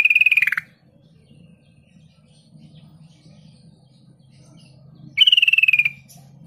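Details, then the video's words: Sooty-headed bulbul lure sound meant to make silent young and flock-raised bulbuls answer within seconds: two buzzy, rapidly pulsed trills that slide downward, one at the start and one near the end, with a soft low hum between. "Trucuk kebo bisu bahan dan ombyokan langsung nyaut dalam hitungan detik dengan pancingan trucuk ini"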